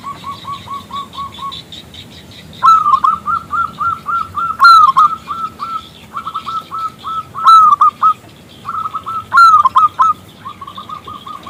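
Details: Active local zebra dove whose call invites a male to sing: repeated bursts of rapid staccato cooing, several punctuated by loud bright whistled accents, flowing almost without pause for over ten seconds.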